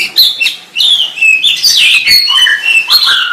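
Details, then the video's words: White-rumped shama with bright, high whistled phrases and quick rising and falling slurs, sung in a steady stream with short breaks. "SUARA MURAI BATU"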